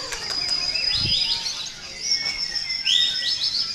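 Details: White-rumped shama (murai) in a contest class at an early-year bird singing event: quick rich warbled phrases sweeping between mid and high pitch, over a steady thin high whistle, with other birds singing in the background.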